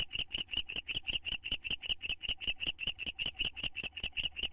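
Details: Owls, a bonding pair in their nest box in May 2011, give a fast, rhythmic stream of short, high, slightly raspy chitter notes, close to three each second.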